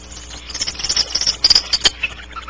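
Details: Barn owl outside its nest cavity at Audubon Starr Ranch, giving high, thin raspy twittering hisses in quick irregular bursts over about two seconds, with faint low hum beneath.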